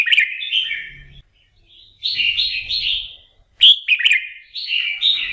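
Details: Morning practice song of a red-whiskered bulbul, trained to get fired up for singing competitions: lively whistled, slurred phrases in quick bursts separated by brief pauses, one opening with a sharp click, otherwise clean.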